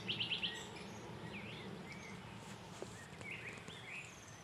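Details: Common nightingale singing in bushes on 23 April 2022. A quick burst of five sharp repeated notes is followed by loud slurred whistles and short phrases, over a steady outdoor hiss.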